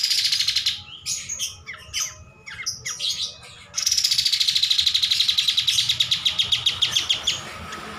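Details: Energetic cream-striped bulbul song for use as a master recording: several chattering, scratchy bursts, then a long fast buzzy trill of evenly pulsed notes lasting about three and a half seconds.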